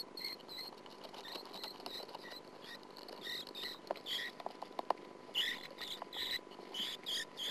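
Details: Sand martin at the nest, filmed by a nest camera in 2009: short buzzy, scratchy bursts with bright upper bands, coming in irregular clusters and growing denser and louder toward the end, over a faint steady hum.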